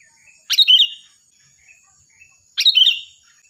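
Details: Lively sooty-headed bulbul song, loud and piercing, for training other birds: two crisp, bubbling phrases two seconds apart, each a rapid cluster of bright falling and rising notes, with faint soft chirps between and a continuous high hum.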